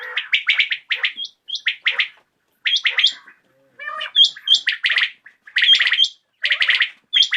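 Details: Evening calls of common quail: quick, clipped high notes in tight groups of two or three, repeated in bursts with short pauses, some with a brief whistled tone on top.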